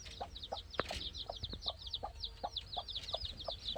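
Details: Chicks playing: quick high chirps repeated several times per second, rising and falling slightly, over regular soft ticking and a low hum.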